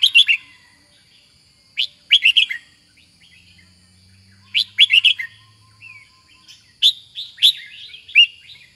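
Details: Loud, punchy phrases from a red-whiskered bulbul, each of three or four quick sharp notes, repeated several times with short softer warbles between them, over a faint steady whine.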